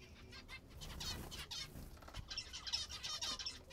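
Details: Kept zebra finches feeding, with wing flutters and rustling early on, followed by a quick run of nasal, trumpet-like call notes.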